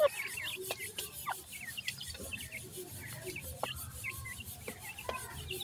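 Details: Feeding grey francolin chicks peeping steadily, thin high notes that slide downward, several birds calling over each other, punctuated by occasional sharp tapping clicks.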